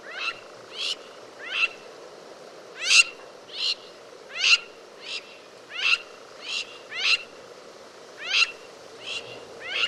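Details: Crowned lapwing (crowned plover, Vanellus coronatus) gives harsh, strident notes roughly every half second to second in an uneven series, over a low steady hum.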